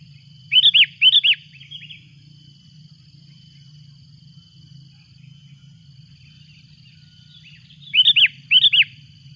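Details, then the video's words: Sooty-headed bulbul calling loudly with a rival arriving: two bursts of paired, sharp bubbly notes, separated by about six seconds of quiet with only a steady high hum and low rumble. "Suara buRung kutilang ribut memanggil!!!! lawan pun datang."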